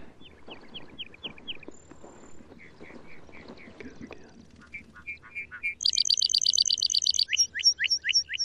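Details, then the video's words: A male lark bunting sings near route 69, recorded close by: repeated slurred notes, a thin high whistle, then a fast, buzzy, rattling trill and more sweet downslurred notes, over a faint low rumble. "Lark Bunting Calamospiza melanocorys Singing"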